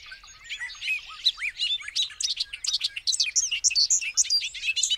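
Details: A Bobolink pours out a long, effervescent cascade of chattering, tinkling and twanging notes, rising in density and loudness toward the end with no pauses.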